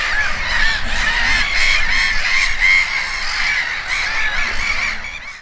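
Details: Gulls at Konstancin-Jeziorna, Poland, giving harsh, nasal, honking cries in a fast, uneven series of about three per second. The calls overlap as though from several birds, and the run fades toward the end.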